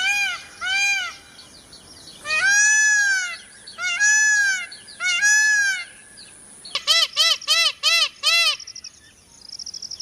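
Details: Peacock giving several long, arching nasal wails, then a fast run of short ringing honks at about three per second, ending with faint higher chatter.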